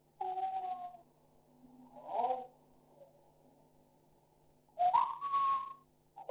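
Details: African grey parrot talking in Sukkur, Pakistan: a level whistled tone, then low throaty murmurs, a pause, and a bright rising whistle that holds steady before a final short note.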